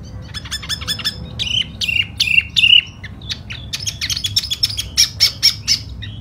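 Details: Spring display singing (hót xoè) of a tiểu mi, the silver-eared laughingthrush: bright, clipped whistles and chips that break into a fast series of high, evenly spaced notes toward the end.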